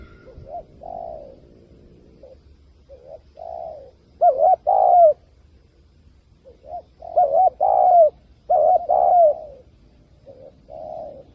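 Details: Spotted dove calls used as a lure for bird trapping: repeated low, soft cooing phrases, some louder double-noted coos with a rolling tremor, given in bursts with short pauses, over a faint low hum.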